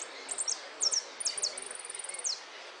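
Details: Hooded siskin competing in a singing-contest final in Merlo on 13 January 2013: very high, thin downslurred notes in quick pairs, then a fast, even trill of rapid chirps closed by a falling note.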